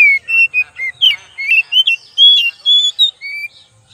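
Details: Pancingan lure song of an oriental magpie-robin: rapid, varied whistles, some pure and slurred, a few harsher and buzzier, about a dozen notes in four seconds, loud and close with almost no background noise.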